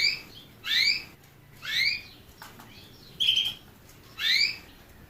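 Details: Canary song made of upward-sweeping whistled notes at about one-second intervals, broken once by a level, trilling whistle before a final rising note. The background is quiet.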